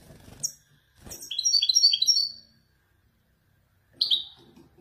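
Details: Male European goldfinch of the Wedani type in Morocco singing in the Marrakchi descending style: a short, sharp, high note, then a bright, quick twittering phrase of about a second, and another brief call later, over low rustling and handling noise.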